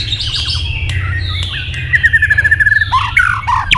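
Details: White-rumped shama in competitive singing, flicking its tail fast: clear whistled phrases, then a rapid rattling series of even notes for about a second, ending in sharp upslurred whistles over a low steady hum.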